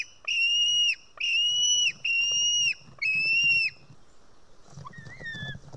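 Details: White-tailed eagle chick in an Estonian nest, early afternoon of 4 July 2018, begging as it is fed fish: four loud drawn-out shrill screams, then quieter, softer falling notes.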